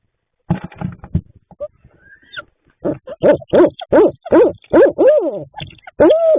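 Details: Barred owl at a nest box late at night in March, as the male brings food to the female incubating three eggs. One owl gives about nine loud, nasal, rising-and-falling hoots, two or three per second, after a rough muffled patch.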